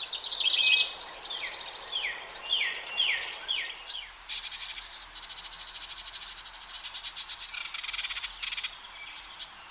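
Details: House wren family as the last two of five nestlings make false starts before flying from a nest box into a dense hemlock. A quick trill, then a run of five down-slurred notes, then a long scratchy buzzing stretch.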